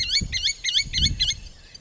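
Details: A Blacksmith Lapwing in lush green vegetation in Amboseli National Park, Kenya, gives five sharp, metallic 'tink' alarm notes, about four per second, like a hammer striking an anvil, over a low rumble.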